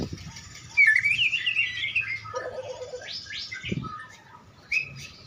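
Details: Captive white-rumped shama warming up before a singing contest: a varied, fluid warble of whistled rising and falling phrases, a short buzzy low trill, then quieter whistles and a final sweeping note, with some faint background noise.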